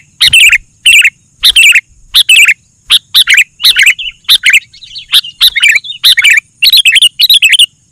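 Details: A Sooty-headed bulbul singing hard, meant to make other bulbuls answer: a steady stream of bright, slurred, bubbly chirps, singly and in pairs, speeding into denser clusters toward the end.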